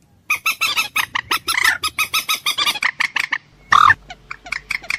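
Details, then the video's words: Common moorhen clucking harshly in a steady rapid series of about four notes per second, followed by one loud squawk and a few scattered softer notes. "ডুংকোর পাখির অরিজিনাল ডাক / ডুংখোর পাখির ডাক / জল মুরগী পাখির ডাক / Common Moorhen bird call"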